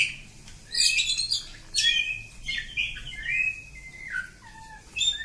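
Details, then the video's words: Kacer kampung, the usual village oriental magpie-robin, in long continuous song: varied whistled phrases and short buzzy notes sliding up and down, with gaps between bursts, over a faint low hum. "Kacer Kampung. Super Ngacor panjang"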